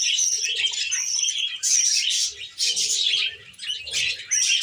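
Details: Pet female budgerigar, tame, chattering steadily in a dense run of buzzy chirps and thin whistles, with a few short gaps between phrases.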